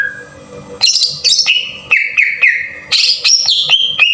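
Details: Green leafbird lure song with harsh shots, meant to rouse other leafbirds: a quiet start, then loud scratchy bursts followed by level whistled notes, repeated in two strong rising-then-falling phrases.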